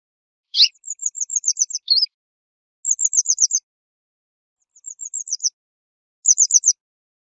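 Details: Western yellow wagtail singing bursts of rapid, very high ticking trills, each run of six to eight notes slightly descending, separated by pauses of about a second; no other sounds.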